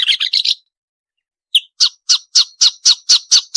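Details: Training song of a marsh warbler for caged birds: a brief harsh chatter, a pause, then sharp scratchy notes repeated about four times a second in an even series. Clean background.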